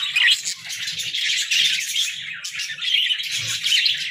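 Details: Several pet budgies chirping in the morning: busy overlapping high warbling chatter in bursts, with a brief lull near the middle, and light low knocks in the background.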